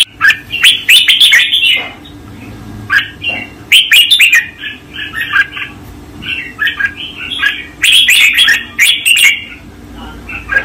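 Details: Master-song recording of a red-whiskered bulbul: loud, lively warbled phrases of chirps and slurred whistles. Three main bursts come about every four seconds, with softer notes between them.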